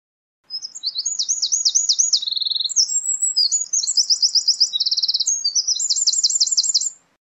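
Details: Eurasian wren delivering a long, loud song of piercing high notes and several fast, evenly pulsed trills, sustained for about six and a half seconds in a quiet setting.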